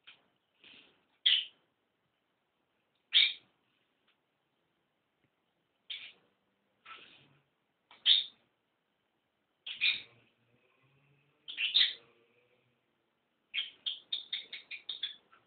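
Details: Pet cockatiel that talks and sings gives loud, shrill whistled notes with pauses, ending in a quick chattering run.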